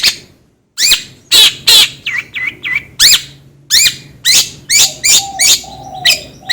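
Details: Long-tailed shrike delivering loud rasping notes and a few soft looping whistles, then repeated scratchy calls roughly every half second, with a faint low whistle near the end.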